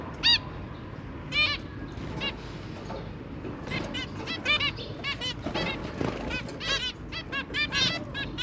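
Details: Zebra finch parents with three young, 23 January 2022: a few isolated nasal toots at first, then a busy run of rapid overlapping beeps and chatter toward the end, with faint wing flutters.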